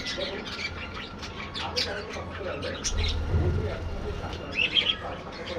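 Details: Budgerigars housed in a colony aviary: scattered scratchy chirps early on, a quieter middle with low rumble, then a clear cluster of high squeaks near the end.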